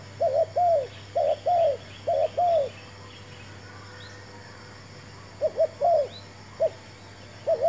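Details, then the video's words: Newly brought spotted dove serving as decoy in dove trapping with a new trap: bursts of paired arched coos, a pause, then scattered coos again, with faint high chirps from other small birds in the background. "MEMIKAT TERKUKUR"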